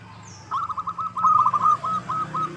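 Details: Local zebra dove (perkutut lokal) lure call, used to make other birds sing and answer: a rapid, stuttering run of soft pulsed cooing notes, mid-pitched, lasting about two seconds after a brief high whistle, over a low steady hum.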